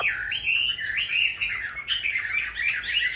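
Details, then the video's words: Caged hwamei raised from a young bird into its fifth year sings a softer, steady flow of wavering whistled notes, somewhat quieter than the surrounding room noise. "Có những chú họa mi trong clip Q nuôi từ bổi sang năm thứ 5"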